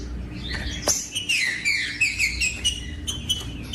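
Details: Rufous-bellied thrush song used to warm up and stimulate captive thrushes: a run of clear whistled phrases with sliding, warbling notes, mostly high, sung in quick succession against a low steady hum.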